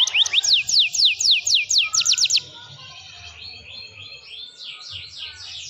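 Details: Canary in song for a training recording: a loud burst of sharp, descending whistled notes for two seconds, then a quieter, fainter warbling trill continuing in the background.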